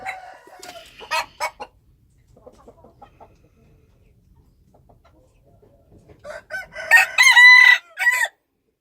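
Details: Wild chickens: a brief clucking burst at the start, then quiet, then a loud harmonic crow near the end made of several strained segments.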